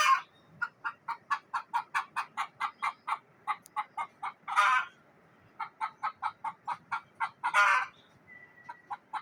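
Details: Frightened hen in a village in Neelum Valley, Kashmir, giving runs of quick, evenly spaced clucks, each run ending in a loud, harsh, drawn-out squawk; after a short pause the cluck series starts again and climbs to another squawk.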